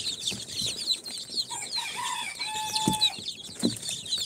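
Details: A crowd of incubator-hatched chicks, four days old, of Sultan, Golden Sebright, Cochin and booted breeds, chirps in high overlapping peeps. A few longer, steady lower whistled notes stand out midway, with soft thumps underneath.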